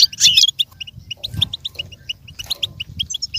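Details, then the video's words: Goldfinch song for a learning goldfinch: a loud, buzzy twittered burst at the start, then a string of evenly spaced, bright chirping notes over a low background hum. "With stimulation for the goldfinch to learn and imitate sounds"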